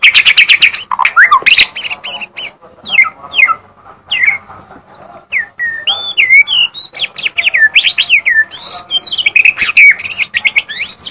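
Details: Magpie-robin in full song: varied high whistles and quick chips, a quieter patch of soft scattered notes, then fast looping rising and falling whistled phrases building again.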